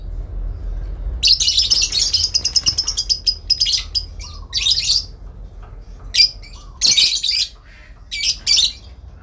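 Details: Lovebird's long ngekek, a back-and-forth calling to a rival: a sustained, rapidly stuttering chatter lasting over two seconds, then separate harsh squawks and sharp chips.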